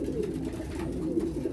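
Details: Kept pigeons cooing during winter mating. Brief stretch of dense, low rolling coos overlapping from several birds in an enclosed loft.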